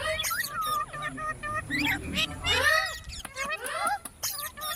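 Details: Parrot voice, quick stacked chatter of short harmonic notes and arching glides, rapid clicky bursts near the end, over a faint steady low hum.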